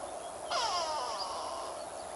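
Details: A brown-hooded kingfisher hunting for fish over the Olifants River, 13 July 2022, gives a single short, falling whistled call over a steady background hiss of wind or water.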